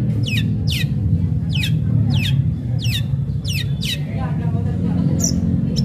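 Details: Long-tailed shrike singing vigorously, played as a lure to draw other shrikes into singing: sharp, harsh, downward-sweeping notes in quick bursts, roughly two each second, over a loud steady low rumble like an engine.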